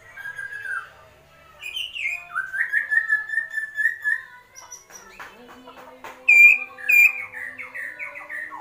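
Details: Agitated white-rumped shama, kretekan style: a run of quick warbled notes in a steady stream, a pause with faint rattling, then sharp whistles and descending slurred notes.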